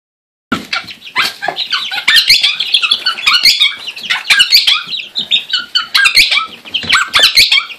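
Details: Pet monk parakeet (Quaker parrot) playing with chicks: after a brief silence, dense harsh squawks and rapid scratchy chattering notes run almost continuously in loud bursts, with short sharp squeaks mixed in.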